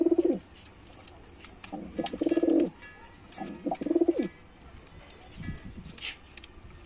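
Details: Deep pulsing coos from a performing male white pigeon come in three strong phrases, then a softer low murmur, with a brief sharp high noise near the end.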